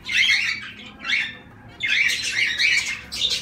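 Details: Zebra finches give loud nasal, buzzy calls, a burst at the start and another after a short pause, then a dense run of overlapping honking notes.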